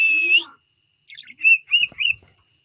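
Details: Cockatiel song fragment: one long steady whistle, then a pause and three short, slightly wavering whistled notes.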